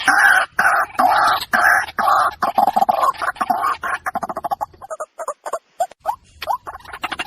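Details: White-breasted waterhen calling: dense bursts of harsh, croaking pulses repeated rapidly, loud at first and then breaking into shorter, sparser notes that fade toward the end.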